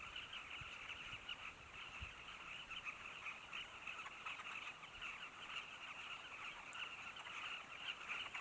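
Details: Carmine bee-eaters at a colony near Zambezi Mubala Lodge, Namibia: a dense, continuous chorus of short, harsh chirping calls overlapping from many birds, with a few faint low thumps.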